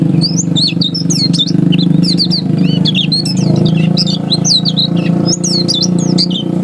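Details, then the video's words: Oriental white-eye of the dakun type giving ngotot-style song: rapid, high, twittering chirps and sharp upswept notes, tumbling in continuous bursts over a steady low engine-like hum throughout. "Suara Ngotot Pleci dakun"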